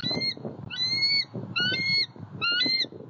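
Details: Eagle at a pond, Southwest Florida, 23 February 2020, recorded by an eagle cam: four drawn-out ringing notes with a bright, slightly rising tone, spaced about half a second apart, over low rumbling noise.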